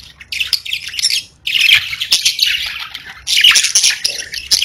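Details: Domestic parakeets, a group of pet budgerigars, give loud buzzy warbling chatter in three long bursts separated by brief gaps, with single sharp ticks scattered between phrases.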